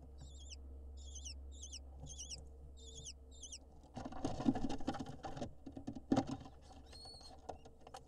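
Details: Lesser kestrel nestlings on a live nest camera in Israel as the male brings an insect: a run of thin, high, wavering chirps repeated about every half second, then rustling and thumping sounds in the nest with a low hum.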